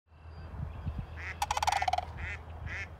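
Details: Wild sandhill cranes dancing in a wetland near a home, giving a short run of rolling, trumpeting notes, about ten quick pulses falling slightly in pitch, with softer calls before and after and steady low background rumble.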